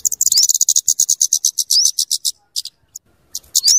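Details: Scarlet-headed flowerpecker, called kemade, in dense high rapid ticking chatter with occasional rising upslurs, sung for luring and tutoring birds; faint low rustles underneath.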